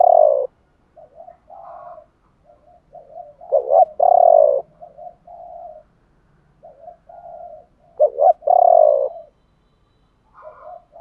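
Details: Spotted doves, male and female, cooing to stimulate others to sing: slow deep hoarse coos spaced about four seconds apart with softer overlapping hoots from other doves.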